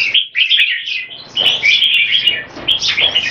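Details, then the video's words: Caged red-whiskered bulbuls of competition standard in action display. Short bright warbles come in quick clusters, broken by several crisp clicks. "JAMBUL - OLYMPIAN CLASS - SPEED ACTION DISPLAY & KEKE"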